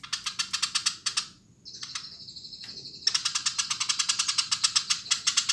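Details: Eurasian tree sparrow singing briskly, rapid rough chirps at the start, a thin sustained buzz in the middle, then a long, even run of rattling notes.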